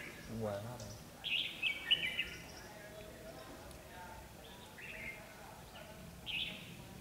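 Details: Red-whiskered bulbul fighting song during a trapping session with a decoy bird, 13 February 2016: a man talks briefly at first, then bright warbled phrases come in a cluster, followed by shorter chirpy bursts a few seconds apart.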